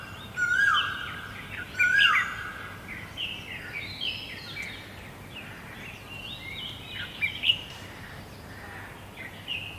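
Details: Great barbet filmed in Guangzhou in April 2022: two loud, clear descending whistled notes early on, followed by busy higher chirping and twittering from other birds against a steady low hum.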